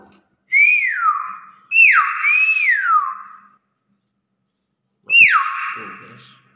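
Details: Older caged Nias hill myna, reported to be watching a bird, gives three loud whistles, each starting high and dropping steeply to a held lower tone, separated by brief pauses.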